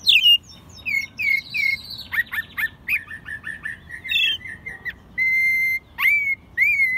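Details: American robin kept caged in Mexico City, recorded in spring 2020 during its second singing season; rapid chirpy notes followed by steady sustained whistles and a sharp upward slur, with a soft background hiss.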